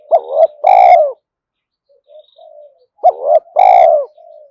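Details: Spotted dove cooing used to prompt newly caught doves to call: two strong low phrases about three seconds apart, each a wavering short note followed by a long, gently falling coo, with soft coos between.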